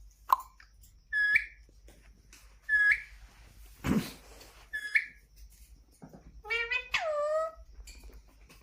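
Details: Indian ringneck parakeet kept as a pet, making several short upward-flicking chirps spaced about a second and a half apart. A low thump comes midway, and a longer harmonic call falls in pitch near the end.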